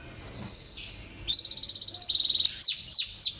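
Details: Canary song from a long Indonesian tutoring compilation meant to calm birds being trained: a long steady whistled note, then a rapid buzzy rolling trill, ending in three sharp descending sweeps.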